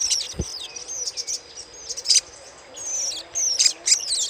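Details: Little spiderhunter chattering, used as a lure: high, thin, sharp chips and short rising and falling notes in clusters, with brief pauses between bursts and a single low thump near the start.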